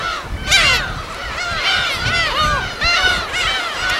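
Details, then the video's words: Gulls crying at their colony on an uninhabited West Sea island, Korea, recorded in the field: a loud harsh cry opens, followed by a continuous crowd of overlapping arched calls and faint low background noise. "파도소리와 갈매기소리"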